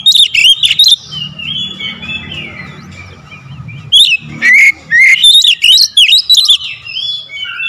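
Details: Kacer, the Oriental magpie-robin, singing a 'tembakan rapat' lure song: a burst of harsh rapid notes, then a long soft warbling stretch, then a run of loud sharp bursts mixed with whistles, over a faint constant hum.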